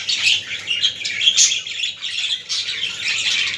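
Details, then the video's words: Budgerigars chattering, played to stimulate other budgies: a dense, continuous warble of scratchy chirps and squawks, high-pitched with brief sharper notes around 1.3 seconds, in a small indoor room. "اصوات طيور الحب البادجي للتحفيز"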